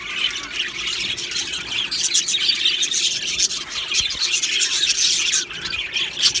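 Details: Colony of Australian budgies in an aviary, described as happy, chirping: a continuous dense chatter of overlapping squawky warbles and sharp chirps from many birds, with no pause across the recording.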